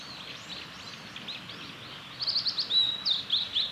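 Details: Male blue-and-white flycatcher in song on the Kanazawa forest road by Lake Miyagase, Japan, 3 May 2020: faint high notes first, then a louder phrase of quick whistles and a sustained clear note ending in rapid chips, over steady background noise.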